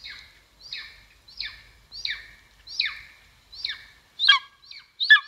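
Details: Series of high, down-slurred calls from a golden eagle at a nest in Estonia, 2022, given about once a second, the last few harsher and more abrupt, with a silent background.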